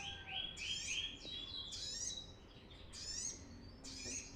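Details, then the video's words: Energetic brown-throated sunbird song used as a lure for training birds: four bursts of sharp, high twittering notes with quick down-slurred sweeps, separated by brief pauses, against a soft low rumble. "suara ASLI Kolibri kelapa gacor"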